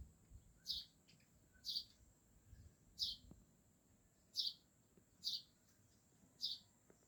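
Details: Yellow birds at home giving short high chirps, about six evenly spaced notes roughly once a second, each a brief burst, over a quiet background with a faint steady hum.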